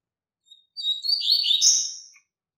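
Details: Strong tutor song from a double-collared seedeater for training young birds: a short faint chip, a pause, then a high whistled start turning into a loud buzzy, twittering phrase around a second and a half long.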